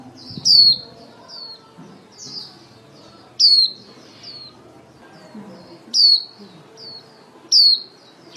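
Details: White-eye female used as a trapping lure calls the flock: loud piercing down-slurred whistles about every two to three seconds, with softer slurred notes trailing each one and a light background hum.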